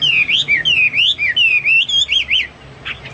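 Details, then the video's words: Hwamei singing energetically for use as a tutor song for caged birds: rich, looping whistled phrases that rise and fall, given in a quick connected series and fading at the end. "Burung Hoa Mi gacor"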